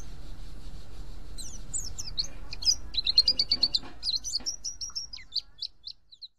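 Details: Mountain white-eye call used to draw in other white-eyes: quiet start, then a fast run of high, thin, sharply rising and falling chirps, dense in the middle and thinning toward the end.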